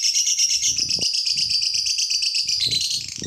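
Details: Lovebird song used to provoke other lovebirds into singing: rapid, rattling high chatter of repeated buzzy notes, continuous throughout, with intermittent low knocking and rustling noises underneath.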